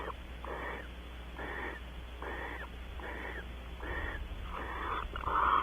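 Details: Soft, breathy hisses from barn owls mating on a porch at Audubon Starr Ranch, California. About seven short bursts come evenly spaced, under a second apart, and the last one is slightly louder.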